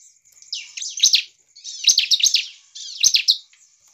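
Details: Energetic bar-winged prinia song used to make other prinias respond and sing: three loud, quick-fire bursts of piercing high chirps, each lasting about a second, separated by brief quiet gaps.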